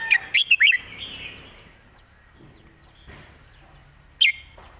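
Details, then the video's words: Red-whiskered bulbul in phleng mae bot master-song style with beautiful phrasing. A quick run of loud, clear whistled notes opens the clip, then a quiet pause, then one more sharp whistled note near the end. "นกกรงหัวจุก"เพลงแม่บท เดินสำนวนสวย"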